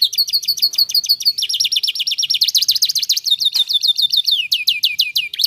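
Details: Canary in full song to make other canaries answer: continuous fast trills of high repeated notes, switching between rolling phrases and a run of downward-sliding whistles at the end.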